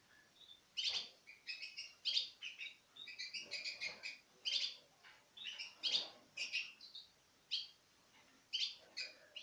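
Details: Paired Citril finches feed from a hand in 2016. Rapid, high-pitched chirps and twitters repeat almost without pause, with some sharp clicks mixed in.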